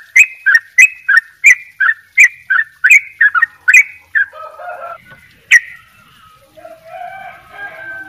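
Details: Yellow-vented bulbul singing at full pace, with rapid doubled phrases. About a dozen sharp, bubbly notes come in an even run, then trail off. Softer warbling from other birds follows.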